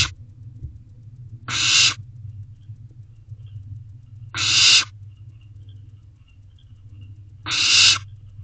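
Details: Barn owl owlet in a nest box calling to its parents for food at 9:21 pm on 16 May 2023; three long, harsh, hissing screeches, about three seconds apart, over a steady low hum.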